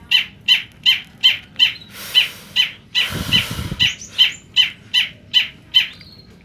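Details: A long-tailed shrike of the semi-black-headed form gives short, sharp, high notes about two or three times a second in a steady series. A brief low rumble intrudes midway.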